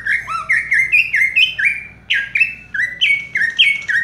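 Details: Fast "raja tembak" song from a caged cucak ijo, or green leafbird, perched in place with quivering body: evenly paced slurred whistles about four per second, each sliding up or down, with faint thin overtones.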